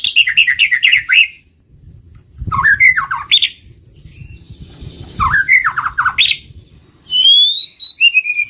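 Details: White-rumped shama lure song: quick runs of repeated falling whistles, harsher warbled phrases, and a final clear rising whistle that levels off, in loud close bursts separated by brief gaps.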